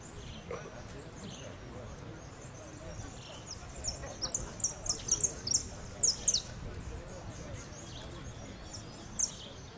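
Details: Saffron finch in a singing contest final: a run of sharp, high, clipped notes around the middle of the recording, bunched in quick bursts with pauses, over steady background murmur and talk.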